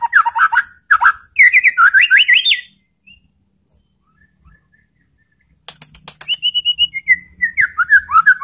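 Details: White-rumped shama singing to goad other shamas into replying: loud slurred whistles and sharp chattering notes, a pause, then a long run of rapid clicks under sustained whistled phrases.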